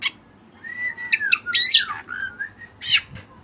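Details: White-breasted Oriental magpie-robin giving long level whistles, a loud harsh burst, and slurred descending notes, with steady low background noise.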